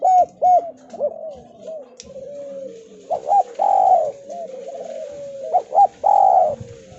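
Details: Javan spotted dove calling as a lure for reluctant doves: short arched coos open the passage, then a drawn, wavering murmur broken by two emphatic coo groups, faint low rumbling beneath.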